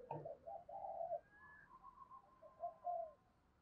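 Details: Spotted dove as a lure bird for wild doves: a quick group of low, mellow coos, a faint higher thin whistle, then two more soft coos.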